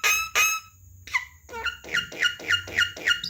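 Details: Javan myna training recording for a talking bird: two loud harsh rasping bursts, a pause, then a series of nasal squeaky notes repeated about four times a second.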